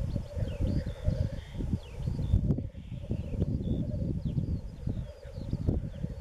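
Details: Black grouse lekking in east Wales on 31 March 2016, a steady low bubbling rookoo drone running through the first half, with faint high chirps of other birds above and heavy low rumble of wind.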